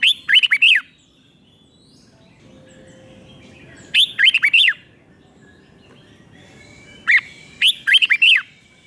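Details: Red-whiskered bulbul in Thailand singing a doubled five-syllable song for teaching young birds: three matching phrases every three to four seconds, each a quick string of four or five slurred, falling whistles.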